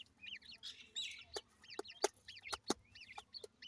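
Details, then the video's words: Grey francolin chicks during feeding give repeated high, down-slurred peeps in quick clusters, while loud isolated clicks sound at intervals. "grey francolin chicks nice voice"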